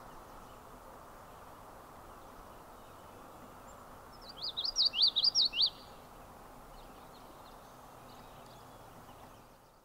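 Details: A Common Yellowthroat at John Brown Farm in the Adirondacks, 26 July 2019, sings one quick, rolling 'witchety-witchety' phrase of about six high, looping notes over a low rumble, with faint high chips afterward.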